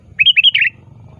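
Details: Sooty-headed bulbul calling actively at a rival, a sound used as a lure: a single rapid phrase of five liquid, fluty notes rising and falling in under a second, over a faint low rumble.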